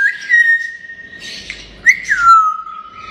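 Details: Talking grey parrot, playful, giving loud clear whistles: a long level note, a break, then a sharp upward flick that falls into another sustained note.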